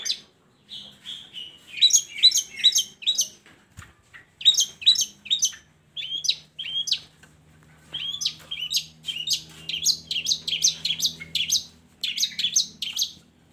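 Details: Song of a long-tailed shrike, played to coax reluctant shrikes into singing; busy scratchy chatter and whistled phrases in bursts, brief pauses between, a low hum and faint thump in the background.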